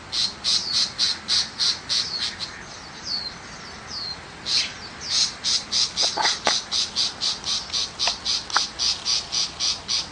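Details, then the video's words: Tiger shrike in the countryside: a rapid series of harsh, buzzy chattering notes, about three or four per second. The notes briefly slow and vary midway, then resume a steady pulse, with a few faint clicks underneath. "Chim Bách thanh vằn ở vùng quê"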